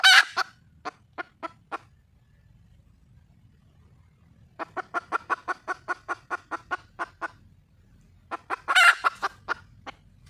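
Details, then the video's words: Wild junglefowl hen calling for a mate: a harsh squawk and scattered clucks, a pause, then a quick even run of about fifteen clucks before another loud, rasping squawk and trailing clucks. "le bruit d'une poule sauvage,เสียงไก่ป่าร้องหาถู่หาตัวผู้,ສຽງໄກ່ປ່າຮ້ອງຫາຄູ່ຮັກ, poj qaib qus see"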